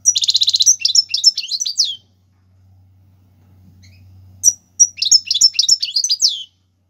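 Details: European goldfinch singing in the Algerian tiwawati galoubi and serfati styles, used for teaching young birds: a burst of buzzy rapid trilled notes, then a pause and a run of quick high twittering, sliding phrases over a faint low hum.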